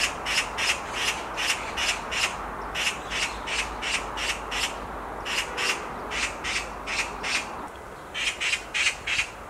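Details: Black magpie screaming from a tree branch: harsh, rasping squawks repeated in quick runs of about three per second, broken by brief pauses, over a steady low background hiss.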